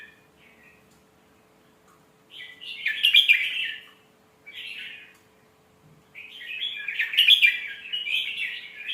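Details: Red-whiskered bulbul singing a sweet phrasing style for teaching young birds: quiet notes, then two strong bursts of rich, slurred warbling separated by a short soft phrase and silence.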